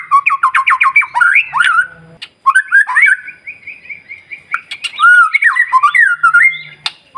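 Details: White-rumped shama in lively morning song, used to provoke other birds into singing: rapid trills of repeated notes, then varied whistled phrases, slurred rising and falling notes and sharp chips, loud and continuous.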